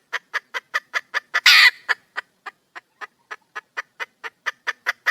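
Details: Female junglefowl calling for a mate: regular, crisp clucks in rapid succession, one loud grating squawk near the start, then steady clucking to the end.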